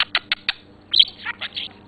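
A budgerigar gives four quick evenly spaced clicks, then a burst of scratchy, warbling chatter with rising and falling squeaky notes.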